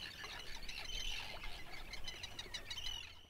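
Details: A Grey Phalarope from its scarce Icelandic breeding population utters rapid high chirps and a few drawn-out level whistles, densely packed, above a low murmur.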